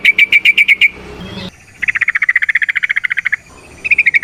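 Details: Sooty-headed bulbul (trucukan) lure song aimed at getting other bulbuls to sing; a short burst of clipped notes, a pause, then a long fast even rattle of about twenty notes and another short burst.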